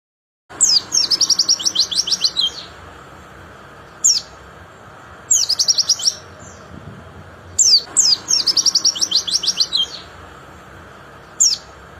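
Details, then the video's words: White-eye singing: high, rapid strings of thin twittering notes in bursts of about two seconds, each followed by a short single chirp, repeated several times over steady background hiss. "Sering Putarkan Suara Ini Plecimu Pasti Cepat Gacor Ngeplong"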